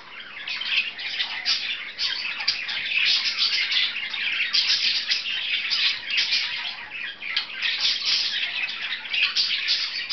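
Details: Pet budgerigars, two birds playing, keep up a steady high chatter of chirps, clicks and squeaky warbling notes for the whole stretch, with faint dripping sounds behind.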